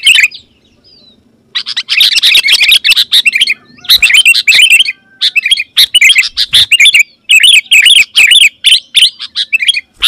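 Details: Sooty-headed bulbul in energetic song, used to call wild bulbuls closer: after a second of quiet, long bursts of rapid chattering chirps follow one another with brief gaps, bright and high, with faint low thumps.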